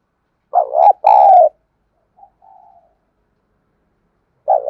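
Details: Spotted dove decoy call meant to make wild doves coo: a deep two-note coo, a faint quieter coo soon after, then the start of another loud phrase near the end.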